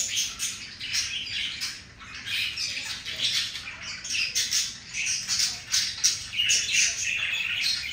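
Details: Breeding budgerigars mating; scratchy warbled chatter, squeaky chirps and raspy squawks in uneven bursts, steady busy flow.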